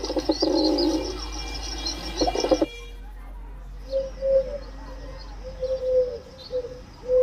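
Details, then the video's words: Pigeon cooing: after a few seconds of broadband noise, low soft coos begin and repeat in short separate phrases. "Pigeon sound"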